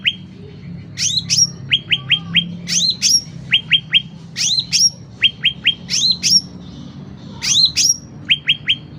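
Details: Steady, loud sooty-headed bulbul song meant for training home songbirds or attracting wild ones: a pair of rising whistled notes, then three quick chips, repeated about once a second with faint background hum.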